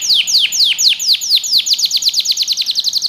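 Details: Singing canary, recorded to train young birds: a string of loud, sharply descending whistled notes that speed up from about four to eight a second through the phrase.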